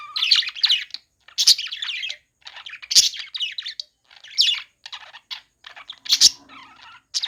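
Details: Budgies chirping during play, with bursts of loud, harsh squawky warbles about every one and a half seconds, broken by short quiet gaps and softer chatter.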